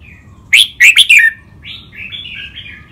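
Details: Caged red-whiskered bulbul practising song in Thai competition styles such as lak wai and mae bot, with two birds compared. One emphatic phrase of four bright, slurred whistles is followed by a soft, rambling warble.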